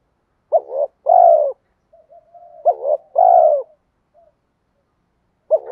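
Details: A spotted dove repeats its luring coo, meant to provoke rivals: a clipped double note then a full falling coo, given twice, with a soft low hum between phrases and a third phrase starting at the end.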